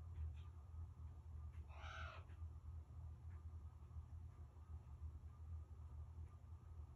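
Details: Common raven in Alaska calling at the person recording: a single loud, hoarse, rasping call near the two-second mark, then faint scattered notes over a constant low background rumble.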